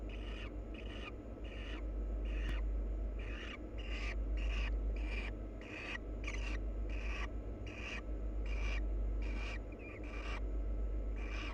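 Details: Wild barn owl pair preening each other; harsh, raspy broadband bursts repeated about twice a second in a steady run, over a constant low hum.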